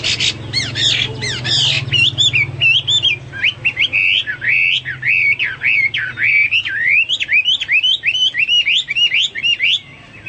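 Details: Hwamei in vigorous song for pet-bird tutoring: a few harsh rasping notes open a long, continuous stream of clear, wavering, slurred whistles rising and falling without pause, with a low hum early on.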